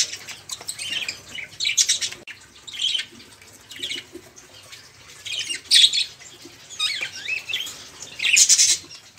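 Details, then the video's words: Caged budgerigars in a loud, busy flock, chattering to prompt stalled songbirds such as canaries to sing; high scratchy warbled bursts about every second, rising and falling, with chirps overlapping. "Suara Burung Parkit | Parkit Gacor | Pancingan Suara Burung Parkit agar cepat bunyi"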